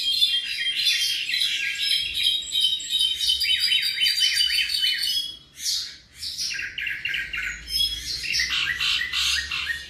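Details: Tropical mockingbird about seven months old singing a rich mimic-like song: rapid repeated downslurred notes in a trill, varied chirps and buzzy phrases, with a short pause near the middle.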